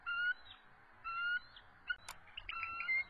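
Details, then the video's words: Resident eagles at their nest on the evening of March 23, 2014, calling in a territorial dispute as an intruder approaches. Several clear, high whistled notes with bright overtones, each about a quarter second long and evenly spaced, plus a sharp click. "Intruder Invades the Nest - Territorial Dispute"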